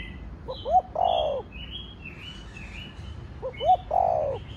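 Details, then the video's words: Spotted dove in the 'thổ đồng' voice style, used to stimulate other doves: two phrases of soft lead-in notes and a long falling coo, separated by a stretch of higher chirps and tweets from other birds. "Cu gáy giọng Thổ Đồng Thúc, Gù kích bổi nhanh nổi/ tiếng chim cu gáy giọng thổ đồng gáy, cu đất gáy"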